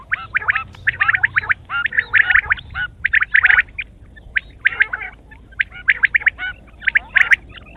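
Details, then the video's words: Quail calling in the morning: dense bursts of sharp, chattering notes, several birds overlapping in rapid clusters with brief pauses between groups. "sound of quail is the perfect clear sound for the morning"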